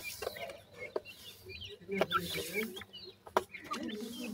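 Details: High thin cheeps of growing grey francolin chicks come in scattered bursts, some rising, some dipping, amid clicking taps, low murmurs and rustling.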